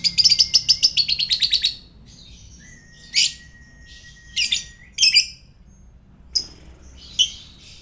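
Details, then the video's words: Indonesian fighter lovebird sound for provoking other birds: a quick string of about a dozen high, rasping chatter notes, followed by spaced harsh squawks and a faint steady tone. "LOVEBIRD FIGHTER"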